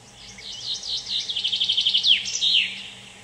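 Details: Common chaffinch singing on the Curonian Spit, Kaliningrad: a bright, quickening run of about a dozen notes falling in steps, ending in a sharp downward flourish, over a faint background hum.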